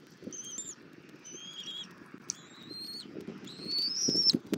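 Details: Fed for more than 40 minutes by its mother, a Southwest Florida bald eagle eaglet on 24 February 2024 gives four high whistles, the last long and gently rising, above soft rustling and rising wind.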